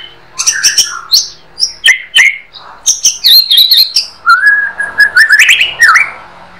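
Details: Varied 'harian receh' song of a white-rumped shama (murai batu), recorded as master material for cage-bird training. Rapid rich phrases mix clicks, buzzy high notes and whistles, then a long rising whistled trill and a final downslurred note.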